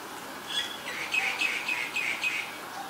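A female Asian koel gives a rapid run of sharp, high, slightly harsh notes, about four a second, over faint background hiss.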